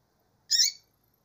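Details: Female double-collared seedeater calling: one short, sharp, harsh chip lasting about a third of a second, bright and high, with no other sounds around it.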